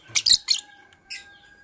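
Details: Green and blue masked lovebirds in the morning uttering a quick series of sharp, shrill, buzzy chirps in close succession, then a brief pause and one more chirp, with a faint steady tone running underneath.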